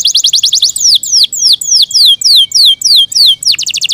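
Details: Yorkshire canary, a caged songbird, gives a quick trill, then slower loud downslurred whistles, ending in another rapid burst of notes.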